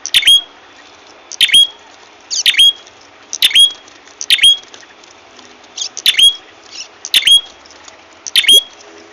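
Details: Repeated ashy tailorbird call used to lure birds for trapping: steady high squeaky notes with whistled endings, about one per second, some followed by softer chirps.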